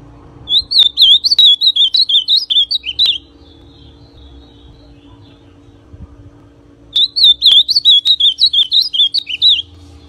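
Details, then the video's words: An ultramarine grosbeak (azulão pardo) sings two bright, warbled whistled phrases of about two and a half seconds each, separated by a pause, over a faint low hum. "AZULÃO PARDO Canto Para Esquentar Azulão"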